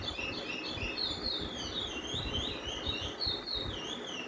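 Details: Chestnut-bellied (lesser) seed finch (Sporophila angolensis) singing the long, repetitive Brazilian curio roll, possibly called "paragrande", used to see which bird sings longest: an unbroken run of high, sweet, rising-and-falling warbled phrases over a low rumble.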